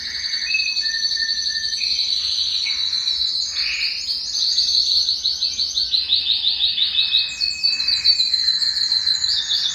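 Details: Song of a Belgian canary, meant to rouse males and bring females into breeding condition, a long continuous high trill with fast pulsing notes, brief lower whistles, and a rising rapid roll near the end.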